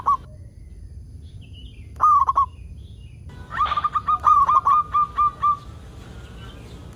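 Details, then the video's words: Local zebra dove singing as a lure to get other zebra doves going: an isolated note, then a tumbling trilled phrase, then a quickening series of bright cooing notes that settles into a steady beat. "Perkutut Lokal Gacor AMPUH Untuk Pancingan Semua Burung Perkutut Agar Cepat Bunyi"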